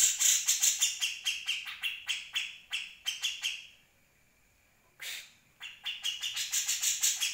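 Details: Grey-cheeked Bulbul song as tutor material for other birds: fast rasping chatter slowing slightly, a quiet gap, one loud harsh burst, then dense rapid chattering again.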